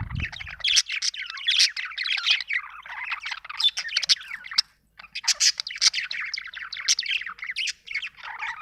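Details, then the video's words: Budgerigar chirping in a dense, continuous warble of fast chattering notes, scratchy squeaks and high tweets, with one short pause near the middle. "budgie chirping sound"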